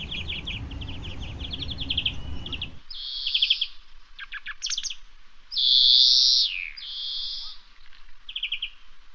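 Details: A European greenfinch on the Manzanares riverbank in Madrid on 13 January 2023 gives rapid twittering trills and a drawn-out, nasal, falling wheeze. A low rumble of background noise is heard at the start.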